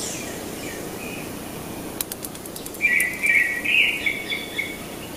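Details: A wild fairy pitta building a nest in South Korea in 2019 gives brief, slightly harsh whistled notes at mid-high pitch, preceded by a quick series of sharp clicks over a steady hiss.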